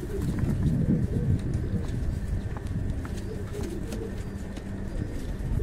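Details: Fancy pigeons of Indian breeds at a breeding farm: low, rolling coos overlap in soft murmuring phrases over a steady low rumble, with faint clicks and knocks scattered through.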